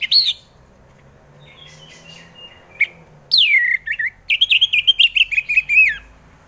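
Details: Orange-headed thrush singing, a lure recording meant to get reluctant birds to sing: a short whistle, soft twittering, then a loud descending whistle followed by a rapid series of warbled, chattering notes.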